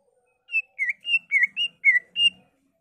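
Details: Greater green leafbird in spirited song imitating other songbirds like magpie-robin and canary. Seven smooth whistled notes in quick succession, alternating steady and dipping tones, sweet and musical.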